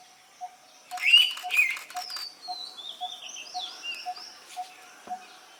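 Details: Female Indian pitta calling to her partner with a strong two-note whistle, the second note slightly lower, set against a low, even tonk repeated roughly every half second and scattered high twittering from other birds.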